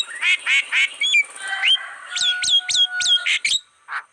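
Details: Black-winged starling on a lure track for attracting wild birds: three hoarse, nasal squawks, a low whistled slur, then four sharp upward-flicked whistles in steady rhythm and a final rough note.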